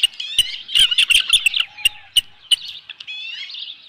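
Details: Wild osprey calling at its nest as a headless fish arrives on a July 2018 evening, 7:55 PM: a dense burst of shrill, high chirps that thins to a few spaced whistles and a trailing, slurred cry.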